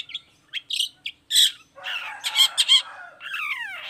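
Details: Long-tailed shrike singing to provoke other shrikes to respond; short chips and rasps build into a loud scratchy chatter, ending in a long, falling, hoarse note.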